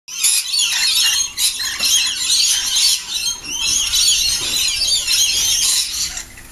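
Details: Lorikeet flock in a morning frenzy at breakfast time, before flying off to sip nectar from flowers in the trees; a dense, continuous chorus of shrill screeching and squealing calls from many birds overlapping, with brief dips in loudness.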